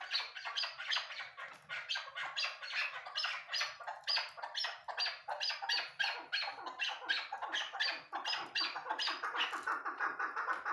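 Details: Rapid, rhythmic cackling from a female Chukar partridge: harsh clucks repeated several times a second in a steady, insistent stream for about ten seconds.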